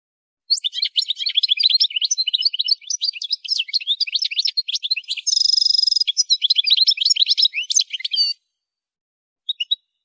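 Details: European goldfinch, described as female, singing for songbird training: a long, continuous rapid twittering with varied tinkling and slurred notes, broken midway by a brief harsh buzzy trill, then resuming before a pause and a short final chirp.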